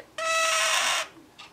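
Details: Male scarlet-chested parakeet crying as his owner tries to pick him up; a single sustained harsh grating screech lasting almost a second, then quiet room noise.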